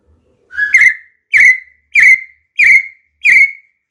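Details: Partridge, named in Thai as nok mae katha dong: loud clear whistled notes, each sliding and then held level, repeated about every 0.7 seconds, six notes in all.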